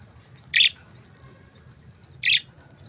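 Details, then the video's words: Budgie chirping: two loud, harsh scratchy chirps about a second and a half apart over a soft low hum, with faint twittering in the background. "Beautiful Chirping Sounds relaxing Voice"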